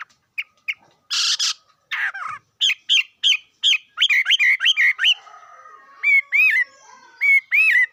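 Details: A bird sings sharp whistled notes, a harsh burst, then a quick series of repeated curved, ringing phrases, later spaced out into paired notes.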